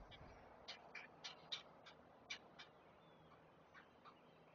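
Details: Great blue heron chicks at their nest near Chesapeake, begging during a feeding: a burst of quick, hard ticking calls that fades into softer, sparser notes, with a low hum behind.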